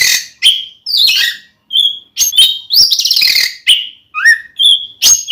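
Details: Oriental magpie-robin singing its fighting song to provoke a rival male: mixed harsh rasps, clear whistled notes and a falling chirp, delivered in quick separate phrases.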